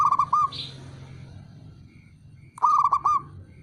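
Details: Local male zebra dove calling to draw answers from rivals: two bursts of rapid, rhythmic low cooing notes about two and a half seconds apart, with low background hum.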